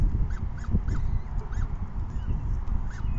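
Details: Peregrine falcon chicks begging at an evening feeding around 6 PM on 14 May 2021; thin, arched rise-and-fall cries come in a quick series, half buried under a heavy low rumble of wind.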